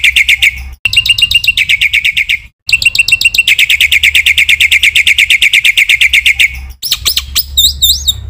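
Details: Black-winged myna training song meant to excite other mynas: long runs of fast harsh chattering notes, broken by abrupt gaps, closing with high sweeping whistles over a low background hum.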